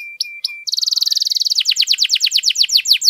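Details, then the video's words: Canary singing to spur quiet canaries: a thin steady whistle broken twice, then a rapid rattling trill that slows into evenly spaced buzzy downslurred notes. "KENARI GACOR PANJANG, AMPUH NAIKKAN EMOSI KENARI MACET AGAR CEPAT BUNYI"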